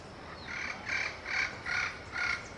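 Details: Yellow-fronted parrot, calling to communicate with its peers: four loud, hoarse squawks spaced about half a second apart, with a soft whistle before them.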